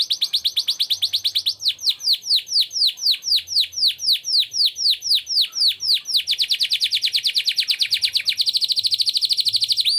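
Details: Canary singing in the ornate cengkok mewah style, a fast high trill slowing into spaced, sweeping downward whistles, then speeding into a dense rolling buzz at the end.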